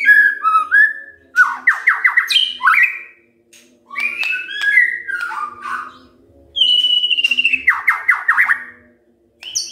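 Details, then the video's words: A white-rumped shama sings in the morning to set other shamas singing: whistled intro notes, then rapid trills of sharp downward strokes, repeated twice with a pause, over a low background hum. "Pancingan PAGI-PAGI AGAR MURAI GACOR❗ murai diam pasti ikut NYAUT EMOSI❗❗"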